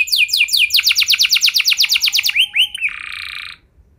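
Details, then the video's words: Canary in gacor song for training other canaries: quick repeated descending notes forming a steady trill, a few rising slurs, then a harsh buzzy note before silence. "Kenari Gacor Lagu Mewah! Buat Kenari Mana Saja Bakalan Langsung Ikut Gacor Panjang"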